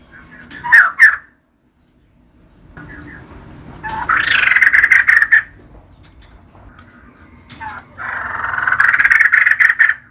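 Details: Female white-crested laughingthrush: a short sharp burst, a quiet gap, then two longer runs of fast, scratchy, chattering notes.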